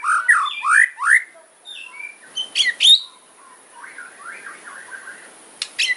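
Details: Fighter-type white-rumped shama in hard kretekan song, said to rile opposing birds; quick downslurred and upswept whistles, a burst of high sharp chips, then a softer twittering run and a final pair of piercing notes.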